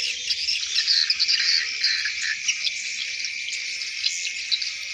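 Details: Swiftlets returning to the nest at dusk in the hundreds, giving a steady, buzzy chorus of high twittering calls with faint low background hum.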